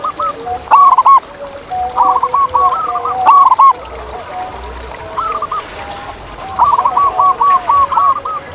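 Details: Actively singing wild zebra dove: several quick phrases of staccato coo notes, some long, some short, spaced irregularly over steady quieter cooing from nearby doves.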